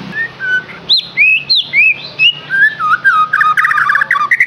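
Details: A lure recording for captive white-rumped shama: a series of rising and falling clear whistles that slide lower, ending in a burst of fast, chattering notes.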